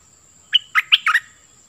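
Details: Cream-vented bulbul decoy bird giving a brief phrase of five clear, liquid warbled notes after a short silence, over a faint low rumble.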